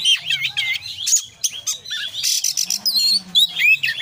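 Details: Oriental magpie-robin singing gacor, konslet style with full fill-ins: high warbling whistles, a burst of harsh noisy notes, then looping wavy whistled phrases, over a faint low drone.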